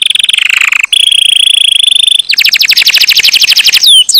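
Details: Canary song with a buzzy drawn-out trill, a steady sustained rolling note, then a rapid series of repeated sweeps and a few descending slurs.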